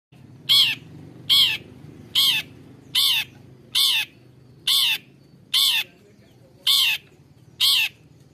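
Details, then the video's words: Long-tailed shrike song used as therapy to stimulate lazy or stressed caged birds to sing: harsh high rasping notes repeated about every second, evenly spaced. "SUARA CENDET UNTUK TERAPI CENDET MALAS BUNYI"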